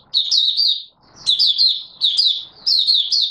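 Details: Oriental white-eye in song, 24 March 2022. Three or four short bursts of fast, high, sweet twittering notes follow one another at intervals of under a second.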